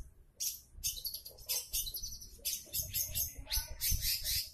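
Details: Shrike song played to draw other long-tailed shrikes into singing: rapid, scratchy, high warbling phrases run together almost without pause, with a few lower whistled inflections.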